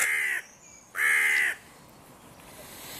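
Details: Territorial dispute among crow breeding pairs whose borders meet at a park music pavilion in König-Albert-Park. Two loud, rasping caws, the second longer, followed by quiet background.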